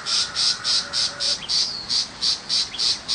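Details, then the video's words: Tiger shrike in the countryside, a small shrike that does not mimic other birds. Harsh, high notes are repeated in a steady chatter about three times a second, with a faint thin whistle underneath midway. "Chim Bách thanh vằn ở vùng quê"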